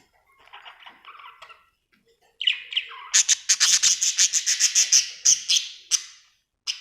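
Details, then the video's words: Happy budgerigar chirping: soft murmured chatter, then a few slurred whistles and a fast run of sharp high clicking chirps, about three per second, ending in silence. "Happy budgie chirping sound"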